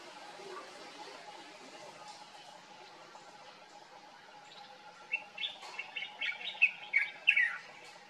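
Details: Common bulbul in Morocco, heard on summer mornings, gives a quick, bubbly run of loud chirping notes over about three seconds, after a quiet stretch with a faint steady hum.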